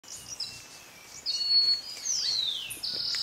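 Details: Montane Woodcreeper in Bellavista Cloud Forest Reserve, Ecuador, May 2012, giving thin, very high notes, including a long slurred whistle that falls steeply, then a short high note at the end; faint background hiss.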